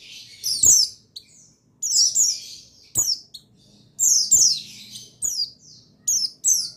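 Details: Buxtoni white-eye, male, used to stimulate other birds to sing: loud high chirps in bursts, each a tumbling cluster of falling notes, with short silences between groups.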